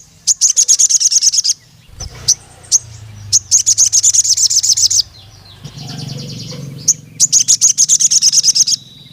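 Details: Crimson sunbird (sogon) calling a rival male: repeated bursts of very fast, thin, high 'cuit cuit' chips with short pauses and single notes between, over a low background hum.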